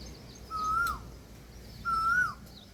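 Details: Indian peafowl giving two long, level, nasal wailing calls about a second apart, each ending in a short downward slur, over quiet outdoor background noise.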